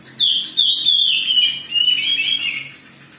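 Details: Oriental magpie-robin singing in an agitated mood to provoke other birds, a quick high phrase of descending slurred whistles and scratchy twitters lasting about two and a half seconds.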